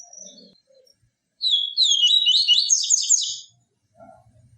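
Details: Yellow-bellied seedeater singing the pure 'tui tui viviti' song, played to stimulate and teach captive birds: a two-second rapid run of high, buzzy, warbled notes sliding up and down, with faint soft chirps before and after.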